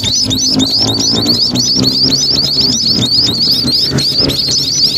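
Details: Munias beside a main road, many birds chattering at once in quick, high, squeaky chirps that run on without a break over a droning low engine and traffic background.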